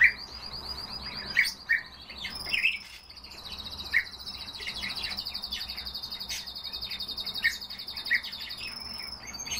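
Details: Himalayan bulbul giving short, bright chirping notes at irregular intervals, several loud ones spaced a second or two apart, over a steady high insect-like buzz and faint other birds.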